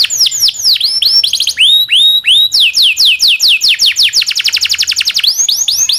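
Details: Local canary song for training songbirds such as shama and leafbird: quick downslurred whistles, three slow rising notes, then an accelerating roll of rapid whistles.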